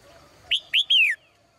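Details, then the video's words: Female cage bird singing in the morning: three clear whistled notes, the last a longer downslurred note falling in pitch, with quiet background otherwise. "นกตัวเมียร้องเจื้อยแจ้วในยามเช้า , เสียงนกร้องในกรง"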